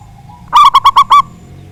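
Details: Loud local zebra dove singing to provoke rival birds. A single rapid phrase of five ringing, hollow coos, the last held a little longer, with faint low rumble behind.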